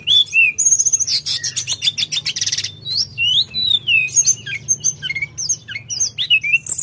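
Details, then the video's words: Sunda robin in full, lively song: dense buzzy rattles and rasping trills, followed by a fast stream of twisting whistled slurs and sharp chips. "Tledekan Gunung Gacor Dor Gada Obat"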